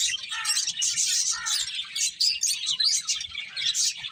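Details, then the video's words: Several finches chirping while eating: a dense, continuous chatter of short, high, overlapping tweets with bright sharp notes rising and falling in quick bursts throughout. "Cute Finches Chirping Sounds | Beautiful Birds Eating"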